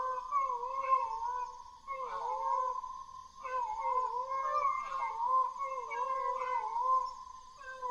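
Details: Peacock calling again and again in a series of wavering, nasal wails, each lasting over a second with short breaks between. The cries are harsh rather than sweet and are believed to be heard before thunderstorms.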